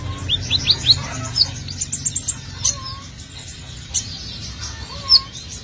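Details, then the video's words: Sunbird song prepared as a lure for bringing birds in: quick rising high notes, a brief trill, then scattered sharp chirps and a few low short whistles over faint hum. "Kolibri ninja || konin gacor abis bikin pancingan"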